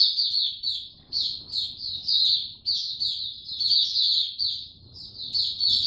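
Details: Caged white-eye, locally Mata Puteh, singing on 29 April 2022 with no supplements given: repeated phrases of fast, thin, high chirps, each about a second long, separated by short gaps, over quiet low background noise.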